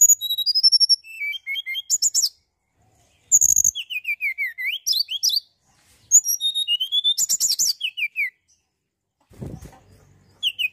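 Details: Mountain tailorbird in nonstop song, used to provoke other birds: long runs of high, descending whistle series and buzzy very high notes, almost without pause, with a low knock near the end.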